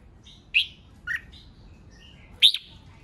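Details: Red-whiskered bulbul giving provocative competition song: three separate sharp whistled notes spaced about a second apart, the last loudest and rising, with quiet faint twitters between and low background hum.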